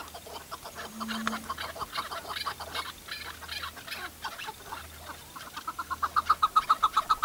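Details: Tethered chukar partridge used as a hunting decoy calls with rhythmic chuck notes, quiet and irregular at first, then building into a loud, evenly spaced series of clucks near the end.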